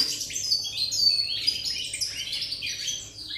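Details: European goldfinch on 8 November 2019, giving a brisk, tinkling twitter. Quick high chirps and short buzzy phrases run together without pause.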